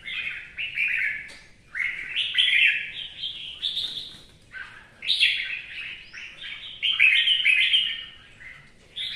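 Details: One of two captive red-whiskered bulbuls singing in the rain gives bright, bubbling warbled phrases about every one to two seconds, rising and falling between mid and high pitch, with little other sound.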